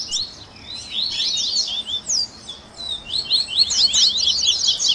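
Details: Captive-training baderna of double-collared seedeaters of the tui tui style, mixing grego, viviti and flauteado variations; a thick stream of sharp high whistles, briefly thinning midway before a louder, denser burst.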